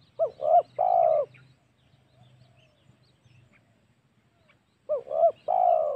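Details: Lure call of a spotted dove, used for hunting wild doves: a trisyllabic coo phrase of two clipped notes and a longer falling one. A quiet gap follows, then the phrase repeats.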